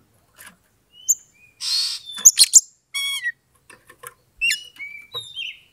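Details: Oriental magpie-robin (kacer) provoking song used to stir a rival into fighting. Scattered sharp chips, then a loud buzzy rasp, followed by clear level whistles and a slurred descending note, with gaps of silence.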